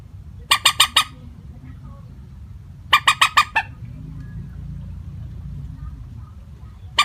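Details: Common moorhen (mandar batu) call used as a lure for trapping, given without tonal variation: a quick burst of four harsh, clipped kek notes, then five more about two seconds later, and a single note at the end, over a low steady hum.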